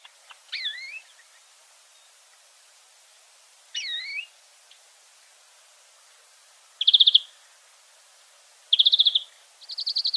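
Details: Free European greenfinch giving two separated upslurred call notes a few seconds apart, then short rapid trilled bursts and a quick rattle toward the end, over quiet background.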